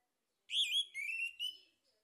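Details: Short burst of male orange-headed thrush song used to stimulate singing: a bright whistled note followed by two fluid, slightly descending warbled phrases, then silence.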